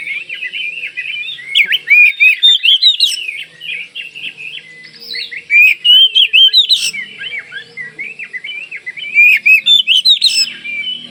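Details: Oriental magpie-robin, Kalimantan type, singing energetically to make other birds of its kind answer. Three bursts of fast, loud, slurred whistles come near two, six and ten seconds, linked by quieter warbling.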